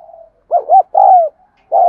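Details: Cooing of a spotted dove, used to prompt caged doves that will not coo: a quick pair of hollow notes followed by a drawn-out falling coo, then another short coo.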